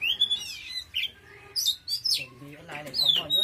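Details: Oriental magpie-robin pouring out strong song: clear high rising whistles and sweeping slurred notes, ending with rougher harmonic chatter.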